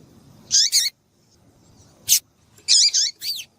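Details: Female double-collared seedeater calling to stimulate males to sing: short, sharp, high chirps given in quick pairs and bursts with brief downward-sweeping notes, separated by short silences, in a quiet setting.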